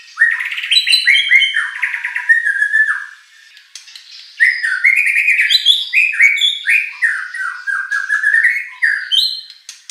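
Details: White-rumped shama song, a recording used to provoke competition birds into answering and singing. Rich, fast whistled phrases slide and warble through mid to high pitches, with harsher chattering notes. A brief pause comes near the middle before dense singing resumes.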